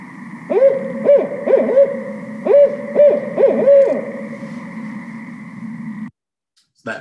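Barred Owl hooting a rhythmic series of mid-pitched, arching notes in the 'who cooks for you' pattern, with a steady background hum; played back through a speaker.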